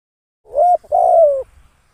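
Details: Spotted dove used as a decoy bird for trapping: two cooing notes near 600-700, the first short and level, the second longer and slowly falling, over a quiet background.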